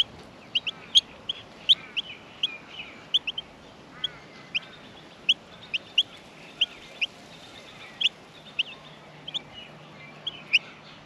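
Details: Australian miner nestlings in the nest begging while being fed: short, sharp, high chirps repeated irregularly, roughly 15 in eleven seconds, over a soft, steady background hiss.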